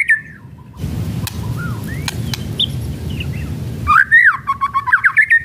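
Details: Kretekan-style song of a white-rumped shama, played to provoke other birds: soft distant whistles over low hum, followed by a loud, rich whistled phrase with fast rattling notes at the close.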